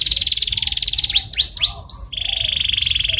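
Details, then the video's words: Lure song from a canary, intended to get a listening canary singing: a long even high trill, three quick rising swooping notes, then another steady rolling trill to the end. "PANCINGAN Cuit Cuit Cuit Kenari Belajar Bunyi gacor ngerol"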